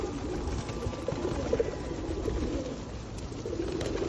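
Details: Steady low cooing from many feral pigeons crowding for food at Osu Kannon, recorded in rainy weather in 2021, with a constant background hiss.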